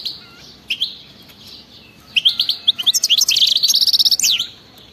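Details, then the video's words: European goldfinch singing wild-type batbata song to get silent goldfinches going: scattered chirps build into an accelerating string of clear twitters, then a long, fast, even buzzy trill ending in a swooping note. "أطلع لي اي حسون ما يغنيش وسمعو هذا التغريد 😱😠 راح يغني بدون مقدمات بتبتة جنونية وغناء خلوي خرافي"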